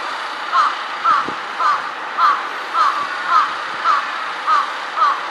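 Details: Jungle crow on an overhead wire, which alternates four different calls, gives nine evenly spaced rasping caws roughly every half second, with low thumps and steady ambient noise.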